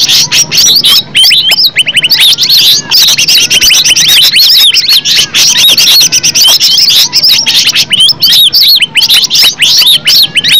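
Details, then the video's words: Green leafbird song: a dense, unbroken stream of bright, high chirps, slurred whistles and quick twittering notes that overlap almost constantly, with no other sounds. "Cucak ijo suara alam suara asli"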